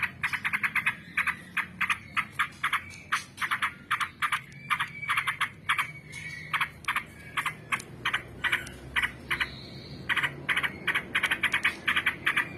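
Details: Sooty-headed bulbul in long, buzzy, continuous song: a steady stream of quick, bubbly, clipped notes repeated several times a second for over twelve seconds, with a few higher whistled notes mixed in.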